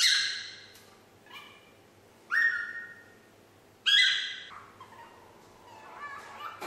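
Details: Young parrot, a 9-month-old female pet learning to whistle the tune Yankee Doodle, gives separate whistled notes with harmonics, some held and flat, others short, spaced by pauses, with a quiet indoor background.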